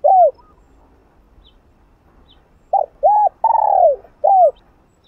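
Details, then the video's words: Spotted dove giving the urging hạp bổi coo to excite another dove. A lone short coo, then after a pause a phrase of short hooked notes and one long sliding coo that falls at its end. "Gáy Giọng Hạp Bổi ĐỦ BÀI gáy thúc liên tục (GỌI +THÚC + GÙ)kích bổi căng lửa.Cu Đất Gáy.cu cườm"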